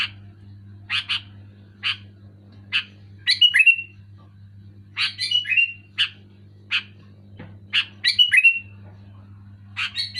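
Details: Sooty-headed bulbul calling loudly: single sharp chirps spaced about a second apart, broken by short liquid warbled phrases with falling slurs, over a constant low mains hum.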